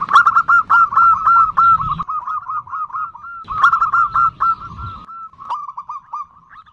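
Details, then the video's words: Female zebra dove (perkutut) calling the male with its 'nutut' call: two bursts of rapid, short, hoarse repeated notes, each run about one and a half seconds long, followed by a softer trailing series, over a low background rumble. "Perkutut Betina memanggil jantan, seperti ini suara NUTUT paling di sukai perkutut"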